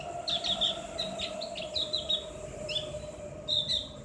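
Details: Ngriwik singing of the Javan grey-throated white-eye, played as conditioning audio for caged birds: short high chirps and slurred whistles in irregular bursts over a steady mechanical hum.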